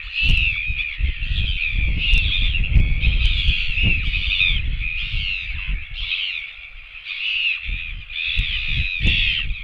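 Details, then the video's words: Nest-camera recording from 24.09.17 of royal albatross chicks begging for food: rapid, repeated nasal arched squawks come in quick runs, pause briefly, then resume, while gusts of wind rumble underneath. "other chicks come begging for food"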